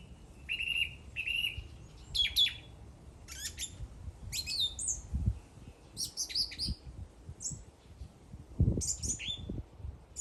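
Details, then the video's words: A bird twitters with varied high chirps and quick slurred notes in uneven bursts, while dull low thumps are heard now and then. "The bird is singing."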